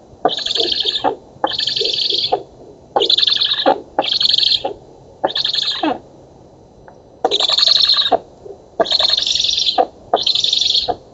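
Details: Nest-camera recording of black stork chicks at feeding in an oak in Poland, 11 August 2017. A steady series of eight harsh, breathy wheezes, each nearly a second long, with one brief lull midway.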